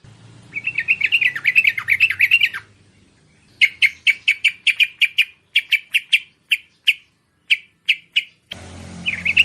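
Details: Merbah (bulbul) calls used to lure wild merbah: a fast burst of bright, high chirps, a pause, then a run of sharp, clipped notes repeated about every half second, ending with a short chattering phrase over low background hum.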